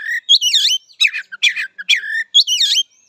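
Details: Oriental magpie-robin song used for training young birds: a quick series of loud, harsh, slurred whistles, each note sweeping down then up, delivered about every half second without background noise.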